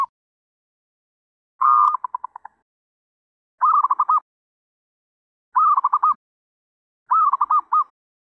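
A zebra dove gives four bursts of soft, rolling coos, each a quick stutter of mid-pitched notes, about every two seconds. Nothing else is heard.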